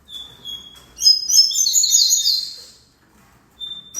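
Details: A double-collared seedeater gives a thin whistled note, then a loud, fast stream of high buzzy twitters lasting about two seconds, then quiet and another short whistle.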